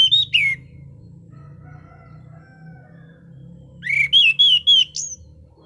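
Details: Orange-sided thrush in prime condition singing a relaxed, clear 'ngeplong' style song: a short burst of slurred whistles opens, then after a quiet pause a run of five bright, dipping whistled notes over a low background hum.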